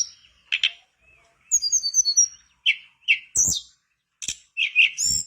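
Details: Lively Mangrove blue flycatcher song meant to get a quiet bird singing: short buzzy chip notes, a run of high fluting whistles, then scattered rasping notes and a couple of knocks.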